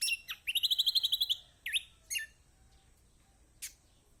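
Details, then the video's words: Kecial kombok, a lemon-bellied white-eye, sings for luring silent birds to sing: a loud, rapid trill of about a dozen clear whistled notes, then two sweeping chirps and one faint late note. "Masteran Kecial kombok/kecial kombo || Pancingan buat kecial kombok malas bunyi auto gacor!!"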